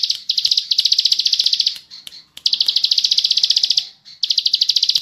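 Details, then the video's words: Actively singing ciblek sawah (bar-winged prinia) gives fast, tight, long 'ngebren' trills: sustained high buzzy rattles, split by two short silences and a couple of sharp clicks. "Masteran burung Ciblek Sawah/klik Ngebren Panjang Speed rapat"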